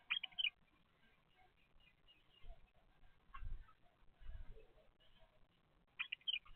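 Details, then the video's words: Bulbul chicks filmed by a nest surveillance camera as they grow from egg to fledging: short bursts of thin, high, rapidly chattering calls at the start and end, with soft low thumps and quiet rustling between. "افراخ البلابل من البيضة الى ان تكبر"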